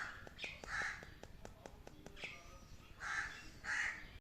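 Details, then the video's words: Domestic parrot producing raspy squawks in short bursts, separated by a run of sharp tapping clicks in the middle, then two louder drawn-out squawks at the end. "Crazy Things my Parrot Says"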